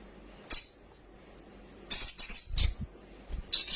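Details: Agitated, fast-excited sunbird with full varied song, wing-fluttering: short high sharp bursts of dense thin twittering separated by brief silences, with a few faint soft notes between bursts.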